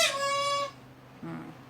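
A parrot gives one steady, nasal, high-pitched voiced note lasting over half a second. A brief, lower human voice follows.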